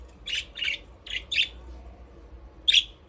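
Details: Aviary budgies at play, several harsh chirps in quick succession, a pause, then one louder buzzy chirp near the end.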